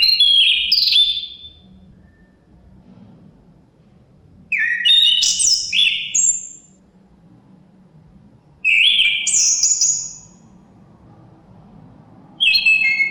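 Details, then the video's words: Song of a chestnut-capped thrush, with wind in the background. Short bursts of clear, high, descending whistles and sharp slurred notes come roughly every four seconds, separated by quiet gaps. "Suara Kicauan Burung Terapi Anis Kembang Ada Suara Angin"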